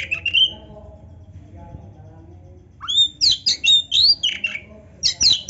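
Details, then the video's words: Oriental magpie-robin (kacer) gives a brief whistle, pauses, then breaks into dense fast bursts of high sharp whistles and chattery notes, with faint low background murmur. "kacer gacor full isian MEWAH NARUNG"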